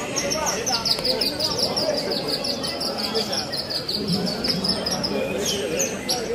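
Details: A Javan bush lark in a bird-song competition pours out a fast, twittering string of high notes, while a man talks nearby.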